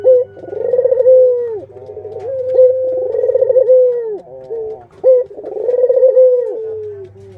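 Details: Pet Barbary doves, a parent with chicks, coo steadily: throbbing pulsed rolls alternate with long level tones, each phrase lasting a few seconds, with a soft low drone in the background.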